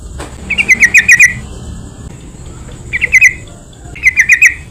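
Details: Yellow-vented bulbul, recorded as a lure meant to make other bulbuls sing: three bursts of rapid, gurgling five-note phrases separated by short silences over low background hiss.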